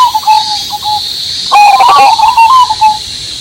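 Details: Zebra dove, Cemani Majapahit variety, with a big voice: faint cooing, then a louder rolling coo phrase halfway through, over a steady buzzing cicada drone and rain.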